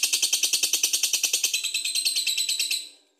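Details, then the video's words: Lovebird in brisk ngekek song, used to set off other birds. Quick, shrill, evenly spaced chattering notes blur into a continuous buzzy trill before fading out after about three seconds. "Lovebird Gacor Bagus buat pancingan"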